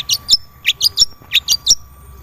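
Long-tailed shrike giving three quick bursts of high, chirpy notes, three notes to a burst, about twice a second, over a faint steady hum.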